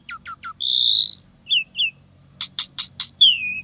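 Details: Singing Asian pied starling using isian tembakan phrases: three quick downslurred chips, a long drawn buzzy whistle, two short slurs, then rapid sharp notes ending in a falling whistle; soft hum underneath.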